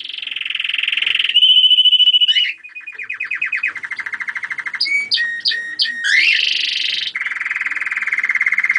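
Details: German crested canary singing a varied song of distinct tours: a buzzy trill, then a pure steady whistle, a rapid clicking rattle, lower rolling trills, a burst of sharp chirps and a final rich buzzing trill.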